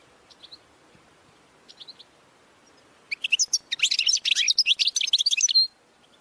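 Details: A couple of soft goldfinch notes open, then a rich outburst of quick, tumbling twittering training song lasts about two and a half seconds over faint background hiss.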